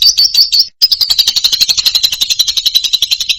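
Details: Loud lovebird chatter: a few shrill squeaky notes, a short break, then a fast unbroken stream of harsh buzzy pulses, roughly three per second, wavering in pitch.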